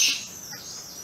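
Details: Plum-headed parakeet at Sattal, Uttarakhand, giving one short, shrill, high-pitched call right at the start, which then fades into a quiet, faintly hissing background.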